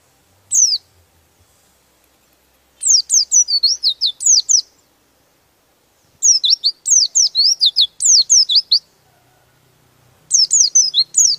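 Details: Rolling song of an oriental white-eye, the kind said to provoke rival birds: a lone high chirp, then three long bursts of quick, thin, downslurred notes separated by silent pauses of about a second.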